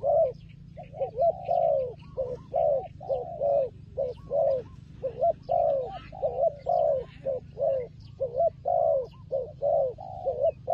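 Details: Turtle dove during a fight, giving a continuous chain of low rasping coos, many short notes between longer ones; quiet bird chirps higher up.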